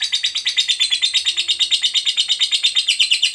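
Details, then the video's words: Gacor fighter lovebird's long ngekek: strident, buzzy chatter notes beat steadily about six to seven per second for over three seconds. The pitch stays high and level, and the rhythm is very regular. "Jadikan Lovebirdmu FIGHTER Rajin Ngekek Panjang"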